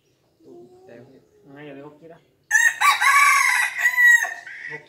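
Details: Five-month-old red junglefowl crowing fiercely: one loud, harsh, strained crow lasting about two seconds, rich in overtones and fading at the end. It follows a stretch of a man talking quietly nearby.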